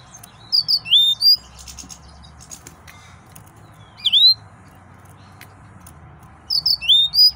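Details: Excited male yellow-fronted canary singing in three separated bursts of high, sweet whistled notes that slur up and down, with quiet pauses of a few seconds between phrases and a low background hum.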